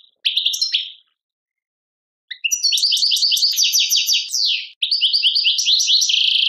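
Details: European goldfinch song in the Tadmait style from Algeria. Bright, fast twittering phrases of rapid chirps and liquid trills are broken by a silent gap of about a second, then resume in long, dense, tinkling runs.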